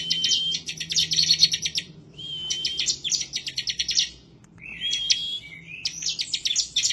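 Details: Bar-winged prinia in full, insistent song, described as seeking a rival and suited for prompting other birds to sing. Three dense rattling phrases of sharp ticks, each with a thin level whistle, are separated by brief gaps.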